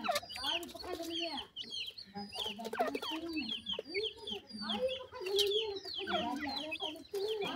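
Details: Grey francolin chicks, wild teetar young, calling while fed termites as traditional food; rapid thin chirps and downward-sliding peeps crowd together, over lower drawn-out tones and a human voice in the background.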